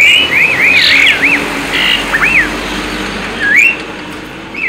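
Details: Tame Asian pied starling singing as a lure: wavy, looping whistled notes in short bursts, partly masked by steady traffic-like rumble and hiss.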